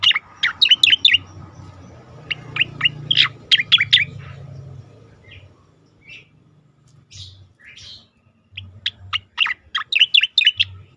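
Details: Training song of an Asian pied starling for competition birds. Loud clusters of chirps and whistles alternate with quieter gaps holding scattered soft notes, then the song ends in a busy burst. Low rumble and a steady hum accompany it.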